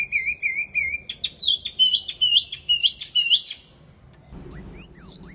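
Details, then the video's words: Wambi mini in lively full song: three wavering whistled notes open the phrase, followed by a rapid string of sharp rising and falling chirps, a short silence, then a fresh burst of high twittering slurs. "Burung Wambi Mini Gacor Banget"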